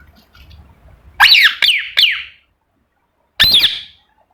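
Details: Pet ringneck parrot chirping indoors: a quick trio of loud, screechy notes that bend down in pitch, then a pause and one more drawn-out squawk.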